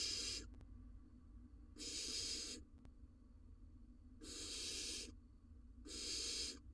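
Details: Four rough, noisy hisses with uneven pauses from a barn owl nest box on an Israeli livestream, where the male brings prey to his chick during the breeding season; faint clicks between.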